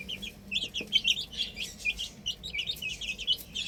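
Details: Chicks playing on a roof, chirping in fast overlapping high peeps, a busy chorus of several young birds.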